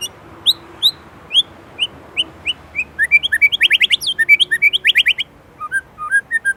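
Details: Indonesian white-rumped shama singing gacor with isian: spaced single downslurred whistles speeding into a dense rapid chattering series of repeated notes, then a few soft closing whistles.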